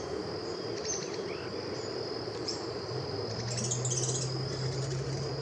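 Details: A red-ruffed fruitcrow (Pyroderus scutatus), seen in the wild, gives a deep, hollow booming hoot held about two seconds near the end, over a steady high insect drone and faint bird chirps.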